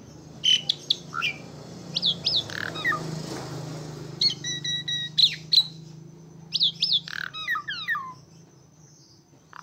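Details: Asian pied starling singing energetically: a varied run of short, sharp whistled notes and chirps, some slurred downward, given in quick bursts separated by brief pauses, over a low steady hum.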